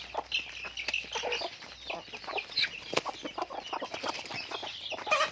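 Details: Chickens kept on a farm, a crowded flock producing rapid clucks and shrill squawks, several louder calls rising above the steady chatter near the end.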